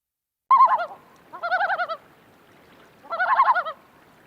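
Common Loon giving three quavering, wavering bursts of mid-pitched, overtone-rich notes, each under a second long and spaced about a second apart.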